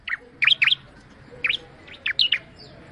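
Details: Bar-winged prinia singing a few spaced, sharp chirped notes, some doubled, each sliding downward, against a low steady background hum.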